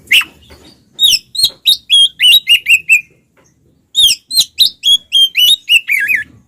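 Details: Fighting 'ngeplong' song of an oriental magpie-robin, meant to rouse rival males: two fast bursts of sharp repeated whistles, about three per second, ending in a warbled trill, with a silent gap between them.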